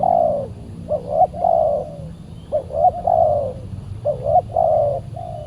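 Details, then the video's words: Fierce, aggressive wild spotted dove replying to a decoy bird at a Saturday trapping session; quick paired rising notes, each followed by a long falling coo, repeated three times. "PIKAT BURUNG TEKUKUR D GIMBALIN BL SUPER g4Rang"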